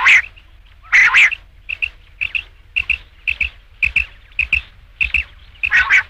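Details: Rain quail call for night hunting: two strong rasping double notes open, followed by a run of softer, shorter paired chips about every half second, ending with another loud harsh pair.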